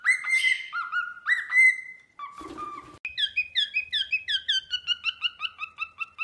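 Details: Cockatiel kept at home, playing on its toy swing while singing: long slurred whistles, a brief rough noisy burst, then a quick series of paired chirpy notes repeated steadily.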